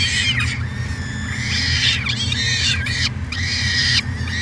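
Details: At a 2017 nest cam in Edmonton, Canada (University of Alberta), peregrine falcons give three long, harsh, harmonic screeches with dipping starts, over a steady low hum.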